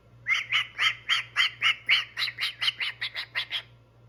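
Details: Male pet cockatoo doing vocal warm-ups, giving around fifteen clipped, squeaky chirps in a regular beat, several per second, slowly fading toward the end, with a faint constant hum behind.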